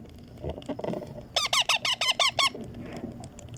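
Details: Baby Indian ringneck green parrot kept as a pet, begging during feeding with a tight series of about eight rasping, evenly spaced squawks over a second, after faint rustling.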